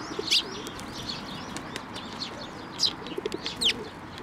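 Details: Sparrows perching on a hand to be fed at a Tenmangu shrine, 19 May 2024, mix sharp high chirps with thin whistled slurs, plus a brief flutter of wings.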